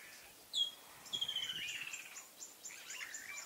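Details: Blue-breasted cordonbleu, a small waxbill of east and southern Africa: a sharp rising whistle, then a thin high drawn-out note followed by a run of quick high chirps repeated about every quarter second.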